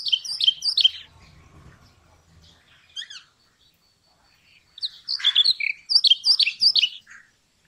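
Brown rock chat giving bursts of bright, chattering high notes, quick descending phrases with a pause between, plus a faint low rumble in the background.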